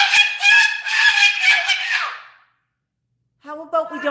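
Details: A pet Moluccan cockatoo yelling loudly as its owner asks it not to yell: a harsh, piercing, harmonic scream lasting about two seconds, then a pause, then a person's voice speaking.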